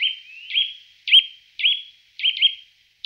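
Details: Rapid series of ringing, upward-flicked "dwip" notes from a Eurasian nuthatch, nearly two per second, occasionally paired, with faint trailing whistles between them.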